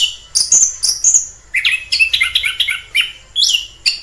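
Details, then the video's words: Short stretch of wild orange-headed thrush song: high thin whistles at first, then a denser jumble of mid-pitched warbled notes and chirps. "Suara asli anis kembang di alam liar"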